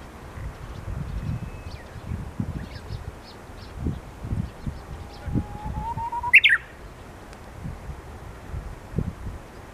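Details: Japanese bush warbler singing vigorously around 12:40 on 29 March in Hirakata, Osaka: a long steady whistle slowly rising, then a quick sharp upward flourish, over low rumbling wind and distant traffic.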